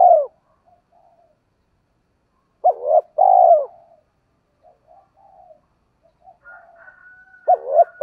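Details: Spotted dove used as a lure for wild doves, giọng thổ style; two deep hooting phrases of short notes and a sustained coo, quiet murmured notes between, and a faint thin whistle near the end.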